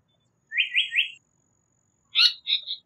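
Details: Japanese paradise flycatcher: a fast triplet of rising whistles, a brief pause, then two hoarse, buzzy call notes.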